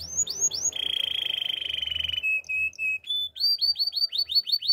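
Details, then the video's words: Canary opens with a few falling whistles, holds a long rolling buzzy trill, gives short clear piping notes, then returns to rapid repeated downslurred whistles. "Super relaxing canary birds sounds"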